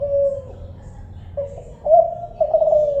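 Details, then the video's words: Kelantan spotted dove giving soft, low coos: a long falling note, then shorter notes and a brighter, slightly rising coo near the end, with a faint low rumble underneath. "suara burung tekukur kelantan"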